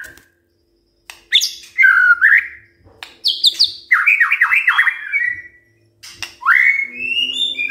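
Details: White-rumped shama morning song for provoking other birds to sing: short sharp high notes, a swooping phrase, a rapid series of descending chattering notes, then a sustained rising whistle.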